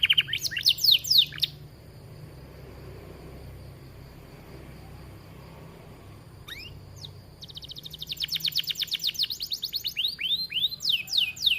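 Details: Canary in an aviary singing gacor-style master song: a burst of fast descending sweeps, several seconds of near silence with a faint steady tone, then rapid repeated chirps resuming and building to the end.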